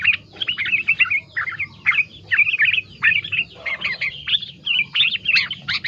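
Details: Yellow-vented bulbul song with a filler of green leafbird phrases: lively bursts of chirpy, warbling notes in short groups about half a second apart, continuing without pause over a faint low hum.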